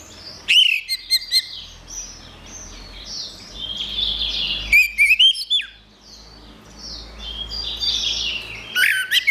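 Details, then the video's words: Orange-headed thrush singing, a recording meant to coax silent birds back into song: brief loud whistled bursts with sharp clicks near the start and middle, separated by a continuous bed of soft, high, scratchy chatter. "Suara Anis Merah"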